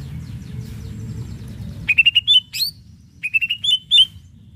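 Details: Greater green leafbird song used to rouse rival leafbirds: two phrases of rapid, clear whistled notes that climb slightly, each ending in a sharp high flick, separated by a short pause, over a low background hum.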